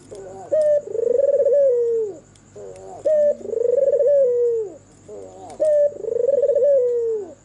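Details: Albino red-eyed white turtle dove singing after dark: three full coos about two and a half seconds apart, each a short lead note, a throbbing rolled centre and a downward slide; a faint constant high-pitched whine underneath.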